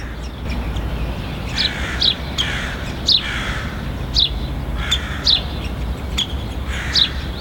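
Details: Syrian woodpecker chick at a nest beside the ministry of finance on capitol hill, one of three young fed by a pair despite traffic; harsh rasping calls with sharp high ticks, repeated about once a second over low steady traffic hum.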